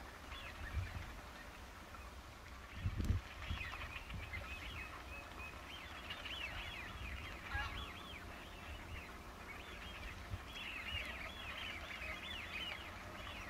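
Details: A flock of Eurasian wigeon, winter arrivals at RSPB Ouse Washes in October 2013, keeps up a steady chorus of high, whistled, downslurred calls that overlap throughout, with low wind rumble beneath.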